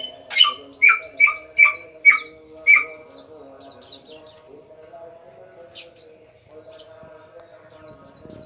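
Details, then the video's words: Sooty-headed bulbul in lively voice, used to lure untrained birds: six loud, clear notes with a short downward flick, given about twice a second, then quieter thin high chirps from other birds over a faint hum. "samyong gacor cocok buat pancingan burung samyong bahan"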